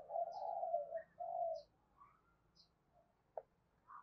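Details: Spotted dove cooing to lure wild doves: two long low coos at the start, then quiet with faint notes, a click and a brief higher note, plus occasional high chirps of other birds.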